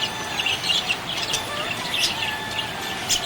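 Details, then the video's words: Happy budgerigar chirping, a steady stream of high warbled twitters and short chirps, several birds overlapping, with faint background noise. "Happy budgie chirping sound"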